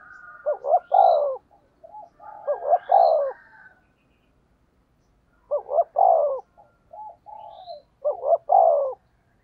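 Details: Spotted dove in a lure-calling exchange: four loud coo phrases in two pairs, softer coos from a second dove between them, and brief high chirps from other birds in the background.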